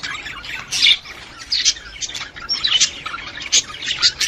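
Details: Budgerigar mating call aimed at stimulating a female budgerigar to breed: squawky chirps and raspy warbled notes in uneven bursts, with quieter chattering between louder squeaks.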